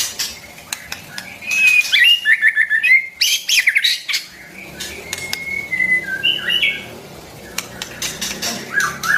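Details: Song of a white-rumped shama, meant for training young and newly caught birds: a few seconds of rapid warbled whistles and slurs, then scattered single whistled notes among loud clicks and knocks.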